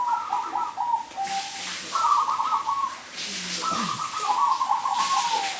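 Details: Zebra dove in a house yard, giving three runs of soft, rapid, stuttering coos, each trilled phrase stepping down slightly in pitch and lasting about a second, with short gaps between.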